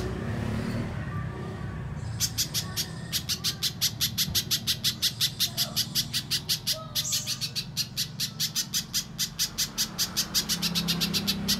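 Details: A low hum, then after about two seconds a little spiderhunter starts a rapid, even series of sharp high chips that continues to the end. The recording is a lure to prompt untrained birds to sing.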